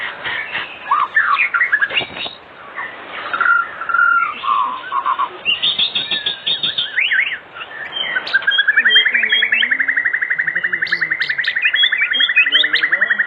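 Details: Oriental magpie-robin song as an afternoon lure to get other magpie-robins singing: varied whistles and harsh chatter, then a long, very rapid trill of repeated notes rising slightly in pitch.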